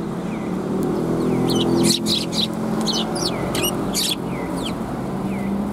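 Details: Sparrows chirping at a Tenmangu shrine, 9 December 2021: soft down-slurred tweets, then a dense run of sharp, scratchy chirps around the middle, with a constant low rumble underneath.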